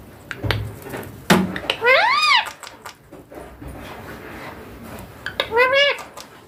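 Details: Green juvenile Indian ringneck parakeet talking indoors: a loud arched harmonic squawk after a few sharp knocks, quiet room noise, then a second bending call near the end.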